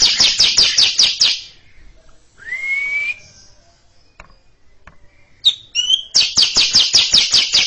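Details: Caged greater green leafbird chattering at length before a younger bird: a rapid series of harsh notes, a long rising whistle, a quiet pause, a few short notes, then another rapid harsh series.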